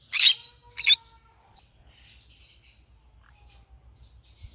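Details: Green-cheeked conure gives two quick loud rasping squawks, then trails off into faint, scattered high chirps and murmurs over a low background hum.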